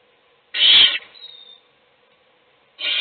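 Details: Owl parent in a nest box feeding one chick while the other chicks sleep; a loud rasping hiss followed by a thin fading whistle, then a second hiss starting.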